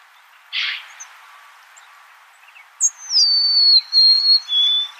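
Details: A soft thump, a pause, then a golden-crowned sparrow's high whistled phrase gliding downward and ending on a slightly lower held note.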